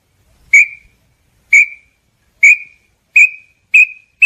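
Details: Small-billed tinamou song: a series of six sharp whistled notes, with the gaps between them steadily shrinking as the series speeds up. Nothing else is heard.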